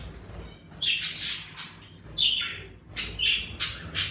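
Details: Pet budgerigars kept in a bird room call loudly: clear slurred chirps and gravelly squawks in separate bursts about every half second to second, livelier as spring warms.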